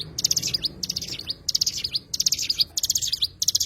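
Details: Short, bright bursts of tinkling notes, each ending in quick down-slurred whistles, sung by an Oriental white-eye (cigun) with brief silences between.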